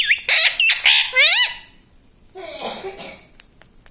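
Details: Pet parrot talking, saying "mummy papa": a rapid cluster of shrill, wavering harmonic syllables in the first second and a half, then a quiet gap and a soft, breathy rustle.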